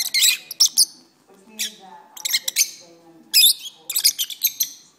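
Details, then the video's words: Singing pet lovebirds kept indoors give shrill, squeaky chattering in three separate bursts, each made of rapid high chirps and squeals with brief quieter pauses between them. "my Lovebirds are singing"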